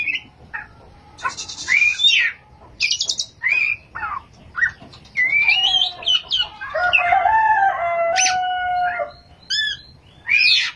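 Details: Oriental magpie-robin (kacer) singing in gacor form, in the ngerol long-rolling and nembak sharp-burst styles: varied whistled and buzzy phrases with bright rising notes and harsh bursts, then a long sustained warbling stretch midway, separated by short pauses.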